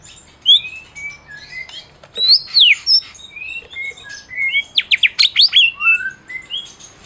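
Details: Medan white-rumped shama in full master song used to stir other shamas to sing: high thin whistles and sweeping slurs scattered, then a rapid burst of steep up-and-down notes ending in descending whistled phrases.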